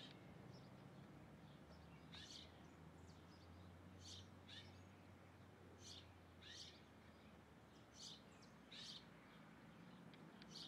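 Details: Rufous hornero (Furnarius rufus) while eating, giving short, sharp high calls singly or in quick pairs every second or two, over a steady low rumble of background noise.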